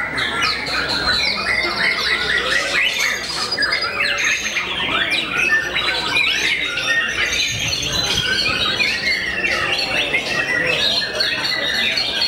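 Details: Long, unbroken outpouring from a competition white-rumped shama that makes many opponents go silent: fast mixed whistles, harsh scolding notes, clicks and trills, constantly changing and sustained at full volume.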